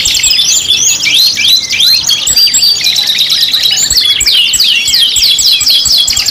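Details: Kenari (canary) pancingan song, 5-in-1 mix, pours out as fast chirped whistles and downward-sweeping notes, turning into quick repeated trilled phrases in the second half.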